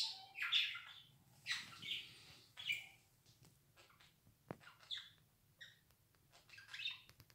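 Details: Budgerigar 'laugh' heard quieter against a faint low hum: bursts of scratchy warbling and squeaks, a sharp click midway, then softer chirps and short whistles.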